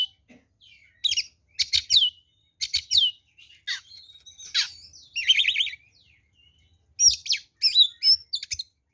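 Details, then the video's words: Oriental magpie-robin (kacer) in full fighting song, used as a lure to provoke other birds: loud bursts of sharp, buzzy high notes with whistled downslurs and harsh chattering phrases, separated by short pauses. "SUARA BURUNG kacer gacor NGEPLONG TARUNG ini paling AMPUH buat PANCINGAN kacer NYAUT EMOSI"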